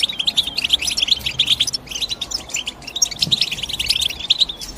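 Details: Lively European goldfinch chirps, quick liquid notes strung into bubbling phrases, a short lull in the middle before the twitter resumes.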